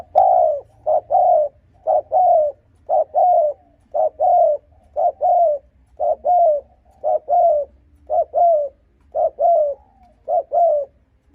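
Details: Spotted dove cooing to provoke and lure rival wild males: short paired hollow coos repeated steadily, about one pair per second, low-pitched and slightly falling, over a faint low background hum.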